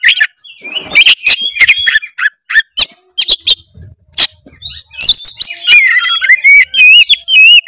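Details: Oriental magpie-robin in rival-seeking song, used to provoke a reluctant singer; rapid ticking and chattering notes give way to a long run of wavering, warbled whistles near the end.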